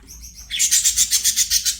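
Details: Budgerigar singing while playing: a few soft whistled notes, then a fast run of about nine bright, buzzy chirps in even rhythm.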